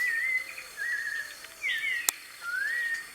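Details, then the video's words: Wild white-necked thrush, live recording in nature: four clear, slurred whistled phrases, some rising and some falling, spaced about every second, with a single sharp click and a steady high background hum. "SABIÁ DE COLEIRA,LIVRE NA NATUREZA,GRAVAÇÃO AO VIVO"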